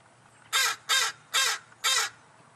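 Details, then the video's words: Crows that are regularly fed call for their food, giving four harsh, hoarse caws in quick succession, about two a second, over a quiet background. "crow chorus"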